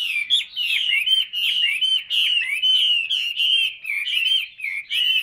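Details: Caged hwamei singing loud, rich whistled phrases that slide and warble, delivered in quick bursts separated by short pauses, with no other sounds present.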